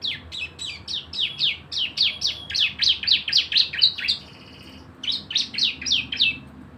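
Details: Javan white-eye (cisem) singing in lively form, meant as a lure to get other birds singing: rapid series of high descending chirps about four per second, a brief pause, then another quick run.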